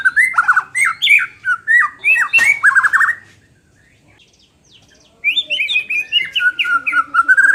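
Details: White-rumped shama singing, played to make a bird less hesitant to compete: loud, rapid, varied whistled phrases for three seconds, a two-second silence, then fast repeated chattering and sliding whistles.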